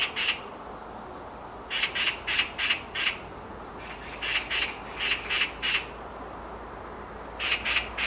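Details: Rasping screams from a black magpie on a tree branch come in clusters of four or five harsh notes, with pauses of about a second or more between clusters.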